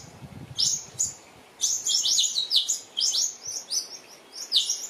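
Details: New Holland honeyeaters disturbing a resting mother Western Grey kangaroo and her joey, with rapid overlapping high chirps in bursts and a faint low rumble at the start.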